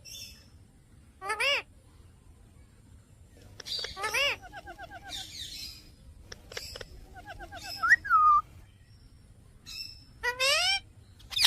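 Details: A pet Indian ringneck (rose-ringed parakeet) gives shrill, wavering screeches in short bursts every few seconds, mixed with clear whistles and talking chatter like "mithu" over a faint hum.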